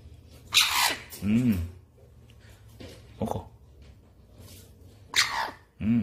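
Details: Pet Eclectus parrot indoors, being weaned and repeatedly begging for hand-feeding formula while offered apple; two harsh, noisy screeches about four and a half seconds apart, with a person's low coaxing speech in between.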